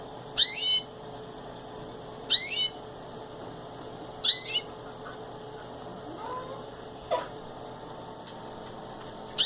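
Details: Pet canary in its cage: bright, sharply descending chirps in short bursts, repeated about every two seconds, with a fainter softer note in between, against a quiet indoor hum.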